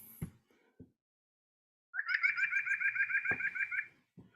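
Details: White-breasted Nuthatch (Sitta carolinensis) song: a fast, even run of nasal notes, about seven a second for two seconds; the nasal quality comes from many stacked harmonics in each note. Soft knocks and handling sounds come before and after.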